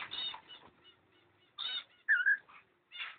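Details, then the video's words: A pair of cockatiels, recorded 05.06.11, giving short raspy harmonic chirps, then a loud warbling whistled note that dips and rises, followed by another brief harsh chirp. "A Pair of Cockatiel"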